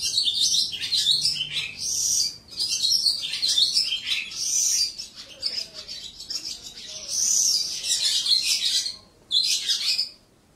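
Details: A caged lark pours out a fast, rich, chattering song of high twittering phrases, pausing briefly twice before resuming. Finding: Lark.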